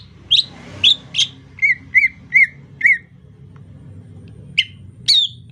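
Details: Rainy-season 'ocehan lemas' song from a greater green leafbird. Three high whistles open, followed by four evenly spaced down-slurred notes. After a short silence come two more bright notes, all over a low hum.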